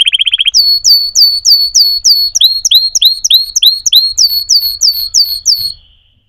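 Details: Singing canary: a quick low rattle, then clear, evenly spaced upslurred whistles about three a second, shifting to a slightly lower repeated phrase before fading.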